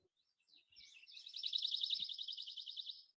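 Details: Pine Warbler singing in South Carolina in spring, a species that eats seeds and so migrates less far: a rapid, even, musical trill of high notes lasting about two seconds, with a few faint low thumps in the background.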